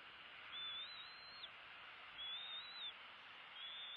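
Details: Bald eagle eaglets, two siblings at the nest during feeding on February 16, 2016, one fed while the other bites its tail; thin high whistled calls, each rising then slightly falling, repeated three times over a steady hiss.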